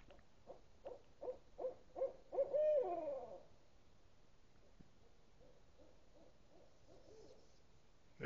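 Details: Owl hooting: a series of low, hollow hoots about three per second, growing louder and ending in a longer wavering hoot, then fainter, softer hoots trailing off in the background.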